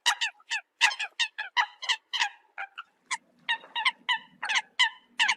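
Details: Eurasian coot honking as a decoy call, sharp nasal notes about 80 per minute in irregular clusters, a faint low hum underneath in the second half.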